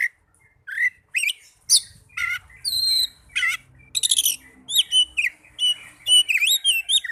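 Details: Oriental magpie-robin lure song intended to make caged birds sing readily: varied phrases mixing buzzy bursts, a pure high held whistle, and quick rising and falling chirps, growing denser toward the end.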